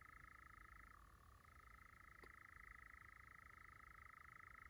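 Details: In Llanwonno Forest in 2022, a European nightjar gives its long churr, an even purring trill that shifts down in pitch for a moment before climbing back, with one sharp click midway and quiet low background noise.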